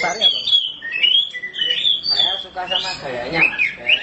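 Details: A black Oriental magpie-robin, a kept bird fed crickets, sings a rich, varied run of clear whistles and slurred rising and falling notes mixed with harsher chattering phrases, poured out without pause.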